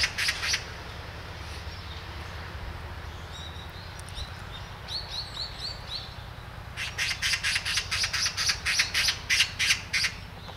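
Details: Great spotted woodpecker at Hanbam village, Daeyul-ri, Bugye, Gunwi, North Gyeongsang, South Korea: bursts of sharp, harsh, broadband notes repeated about three to four per second, with a quieter patch of thin chirps between bursts.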